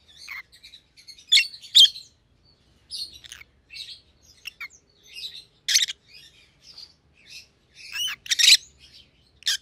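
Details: Two Rosy-faced Lovebirds with white heads, opaline pallid and green opaline, chatter with scattered high chirps and squeaky buzzes, some louder screeches, continuous irregular calling indoors.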